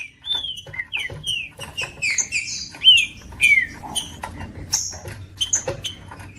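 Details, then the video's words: Green-winged saltator song for warming up a cold bird, a species popular in breeders' song tournaments; bright descending whistled notes and a few higher overlapping whistles, interspersed with crisp ticking clicks. "MELHOR VÍDEO PARA ESQUENTAR TRINCA FERRO COM TRINCA FERRO CANTANDO"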